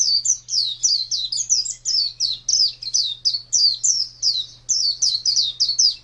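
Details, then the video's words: White-eye (pleci) pet and champion contest singer, 2017: rapid, twittering run of piercing high notes sliding downward, closely spaced and continuous for several seconds, over a soft constant hum. "Birds Chirping Pleci Master Joss Chirps"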